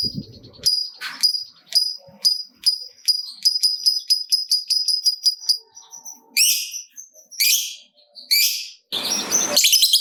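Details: Lovebird used as a prompt to set other lovebirds singing: a rapid series of sharp, clicking, ticking notes, then several harsh scratchy screeches and a final burst of broad noise.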